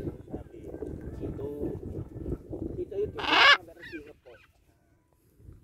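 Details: A pet Military macaw that is chasing and teasing an eel gives one loud, harsh, raspy squawk lasting about half a second, then a few softer croaks; a person talks before it.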